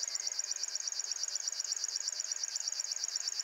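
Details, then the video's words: River Warbler, a singing male, heard at RSPB Ham Wall in the early morning. Close, sharp, rhythmic ticking buzz, about eight pulses per second, steady and insect-like throughout. "Singing RIVER WARBLER"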